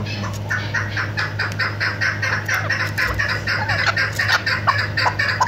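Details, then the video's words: Female chukar partridge hunting call: a busy series of clucking chuck notes, less regular and partly overlapping, over a low hum and general background noise. "chakor shikari awaz keklik sesi chakor hunting sound"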